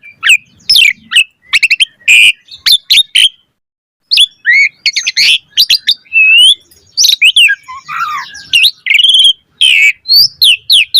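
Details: Asian pied starling song as a training lure, full of varied phrases: sharp clicks, chattering bursts, and looping whistled slurs, delivered rapidly with a short silent gap near the four-second mark.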